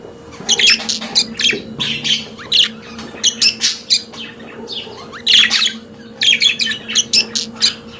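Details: Pet budgerigars singing: dense runs of quick scratchy chirps and harsh squawks, grouped in bursts with short pauses, a steady hum in the background.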